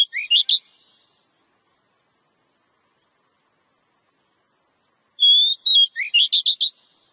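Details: Oriental magpie-robin song, played to encourage other birds to sing: a short burst of rising whistled notes, a long pause, then a sustained high whistle followed by a quick run of sharp chipping notes.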